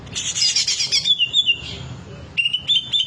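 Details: Green leafbird in full repertoire display: a dense, scratchy chatter, then clear whistled notes dropping in pitch, ending with short rising whistles repeated quickly, over faint low noise.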